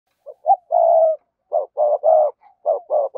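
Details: Spotted dove kept to lure wild doves, giving low hollow coos: a couple of short rising notes followed by a drawn-out coo, the phrase repeated three times in quick succession with no other sounds.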